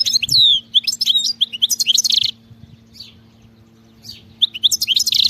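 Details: Free-living European goldfinch delivering a tumbling song of descending whistles, liquid twitters and a buzzy rattle, a soft pause with faint notes, then another lively burst.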